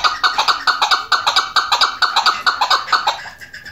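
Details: Female chukar calls in a rapid run of clipped, ringing chuck notes, about two per second, sharp and fairly even before fading slightly at the end, recorded indoors.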